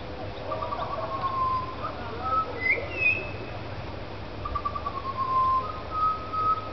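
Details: Butcherbirds singing in a tree in the afternoon after being fed, with one adult and a juvenile singing and a noisy miner nearby: rich, fluty whistled phrases that slide and rise into higher clear tones, over a steady low rumble.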